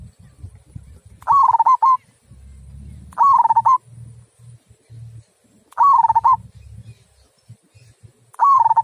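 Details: Repeated rolling coo phrases from a local zebra dove singing in the big 'kung' style, four bursts roughly every two and a half seconds, with low rumbling noise between them.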